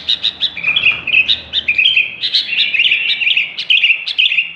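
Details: Chatty song of the sooty-headed bulbul: loose strings of bright chirps and short warbled trills, steady in pitch. Soft low rumbling noise is heard in the background.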